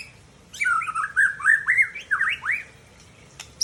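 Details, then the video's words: Mature male white-rumped shama from Tangse, Aceh, singing a rich run of loud whistled phrases for about two seconds. The notes are slurred, swooping and rising, with higher overtones, and end in a sharp upward sweep before a short quiet gap. "Murai Aceh # Jantan Mapan Asal Tangse"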